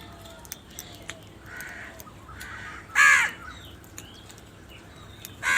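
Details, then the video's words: Two loud, rough crow caws, one in the middle and one at the end, with faint softer calls and quiet ambient noise between them. "Very loud voice of Crow sound - All And Huge types of crow sound | Crow Sound Loudly"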